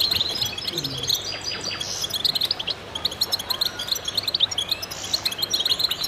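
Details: A chorus of goldfinches in full concert, many bright chirps and liquid twittering phrases overlapping continuously at a high pitch, with faint low background rumble.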